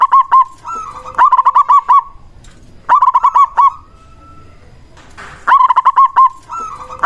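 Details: Zebra dove of local Indonesian stock, used as a lure to make silent doves call back. Loud, quick-fire coo phrases repeat three times, each a rapid rolling series of short notes followed by a longer held tone, with brief pauses between.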